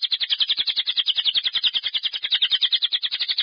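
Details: Lovebird giving the long ngekek trill used to stimulate other lovebirds to sing. It is one continuous, rapid, high chattering trill of evenly pulsed notes, roughly fourteen per second, with no pause for breath.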